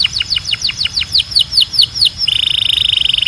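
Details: Belgian canary singing strongly for bird training: evenly spaced descending whistled sweeps, about five per second, followed by a fast, steady, buzzy trill.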